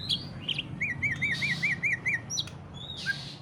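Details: Greater green leafbird singing ngentrok style, used to coax other leafbirds into song: opens with high chips, then eight evenly spaced arched whistled notes in a quick series, followed by sharp high squeaks over faint low rumble.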